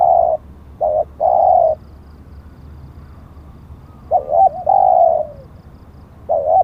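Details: Large dove, a spotted dove, cooing during decoy trapping; the captured bird has auspicious plumage markings. Soft mellow coos in two phrases, a brief note followed by a longer sustained coo, separated by a pause of about two seconds, with low background hum.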